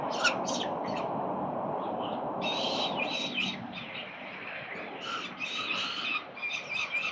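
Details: Peregrine falcons at their nest at 367 Collins, Melbourne, Australia, on 13 November 2022: harsh, harmonic squealing calls in bursts near the start, then a run of repeated calls from the third second on, over steady city hum.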